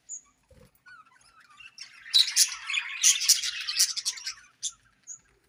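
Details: Budgies in breeding season: a few faint chirps and a brief warbled squeak, then a loud two-second burst of harsh, scratchy chattering squawks, ending in isolated high peeps.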